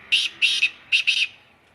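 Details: Black francolin calling at Khushab: a quick grating phrase of five short, harsh rasping notes in two groups, the first group of three and the second of two, loud and close over a quiet background.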